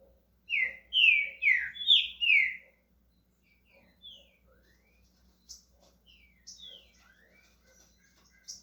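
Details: Green-winged saltator starting to sing, Brazil: a burst of four loud, slurred, descending whistled notes, then softer scattered whistles and short chirps.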